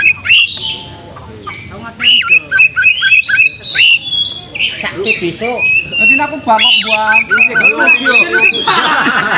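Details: Oriental magpie-robin lure song for provoking fighting mood and tail-spreading: a run of short whistled notes repeated a few times per second, followed by harsher, mixed chattering and grating phrases.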